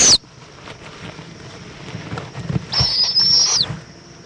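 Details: Owl at 7:20 pm on 11 February 2014 in Indiantown, Florida, as the mother returns with a bug for her young: a brief high, thin screech, then a longer steady hissing screech of almost a second that drops at the end, over soft thumps and rustling.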